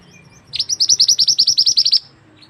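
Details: Mantenan bird, a tutor recording for training other birds, gives one crisp trill of about fourteen high, rising chirps delivered evenly over one and a half seconds, preceded by faint softer notes.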